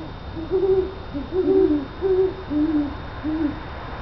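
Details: Great horned owls calling outside a house; a series of six soft, low hoots, some slurred or doubled, spaced about half a second apart, over steady background hiss.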